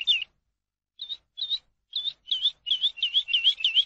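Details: Song of a Eurasian skylark offered for teaching captive birds. Spaced chirps quicken into a quick, even series of looping notes.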